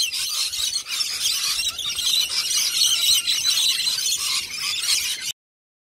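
Lorikeets screech and squeal in a dense, continuous chatter of shrill high notes, several birds calling over one another for five seconds.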